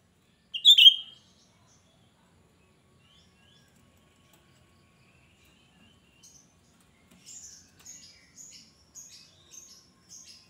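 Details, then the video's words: Cucak rante giving its shrill lure song for attracting other cucak rante: one loud, piercing, high warbled burst, then after a pause a run of six soft, thin, high chips evenly spaced about half a second apart. "Cucak Rante gacor ‼️Suara melengking Cocok untuk Pancingan cucak Rante bahan"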